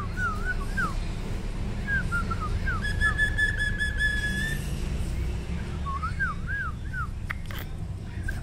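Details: Singing male sirtu, used to lure and agitate rival birds: wavering, rising and falling whistled phrases, a buzzy sustained trilled whistle in the middle, then a quick zigzag series of slurred notes, over steady low hum.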